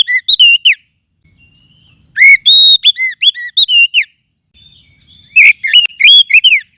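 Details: Lure call of a forest oriental magpie-robin, used to train other songbirds: bursts of ringing whistled notes, rising and falling slurs, given three times with short quiet pauses between.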